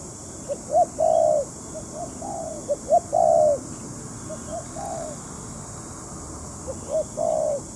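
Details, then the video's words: Spotted dove used as a trapping decoy, scattered phrases of soft short notes and longer hollow coos, with a quiet pause of a few seconds before the final coo. "Giao lưu bẫy cu gáy cùng với mấy anh cu thủ nghiệp dư"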